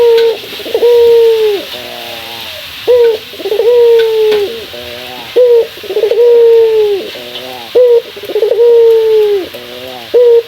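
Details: A male local puter dove calls to provoke a rival. Each sequence starts with a brief upward note, then a long steady coo tailing into a stuttering roll, repeated about four times over a constant hiss.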